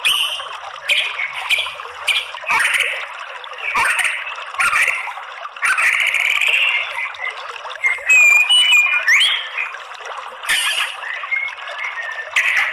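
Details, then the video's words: White-rumped shama song played as a lure to make males sing aggressively: bursts of varied chattering and whistled phrases with clicks and brief pauses, and a bright, high, sweeping whistle in the middle. "cukup sebentar MURAI BATU apa saja jadi FIGHTER NGELAWAN GACOR OWOR OWOR ¦ PANCINGAN MURAI"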